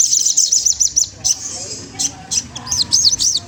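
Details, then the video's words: Magpie-robin singing to provoke a rival and stimulate it to sing: fast runs of high, thin chirping notes repeated in quick series, with short sharp bursts between them. "Suara bunyi sogon trotol menggoda lawan ampuh banget untuk rangsangan bunyi"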